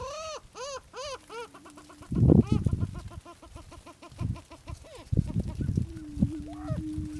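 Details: Attwater's prairie chicken, an endangered Texas subspecies of the greater prairie chicken. It opens with a rapid series of ringing, arched cackling notes, then a muffled thumping flurry and scattered clucks, ending on a long, low steady hum.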